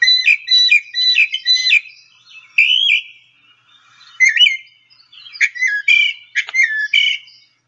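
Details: Northern Mockingbird song from a bird guide app, made of mimicked phrases repeated several times: quick chattering notes repeated four times, then varied slurred whistles, sharp chips and warbled notes, each phrase given in short repeated runs.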